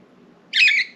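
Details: Pet budgerigar loose outside its cage in a room with several other budgies, perched on window blinds or flying around; one harsh, buzzy chirp lasting about half a second over a low indoor hum.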